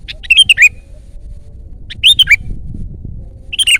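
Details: Sooty-headed bulbul (kutilang) singing loudly and vigorously: three short bubbly, slurred phrases spaced over nearly four seconds, each a quick run of rising and falling notes, with a low hum of background noise.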